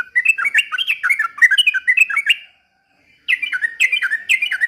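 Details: Yellow-vented bulbul (trucukan) singing vigorously in an imitation of white-rumped shama song: a rapid run of bright, warbled whistled notes that dip and rise, a short pause, then another quick burst of the same chattering phrases.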